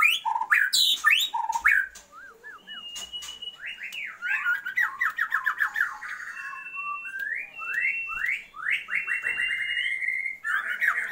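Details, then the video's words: Calling female Oriental magpie-robin, meant to heighten the male's breeding drive: varied whistles and squawks, then long runs of rapid, repeated downward-slurred notes several per second, ending in a loud whistled phrase. "Murai BETINA panggil-panggil Pejantan"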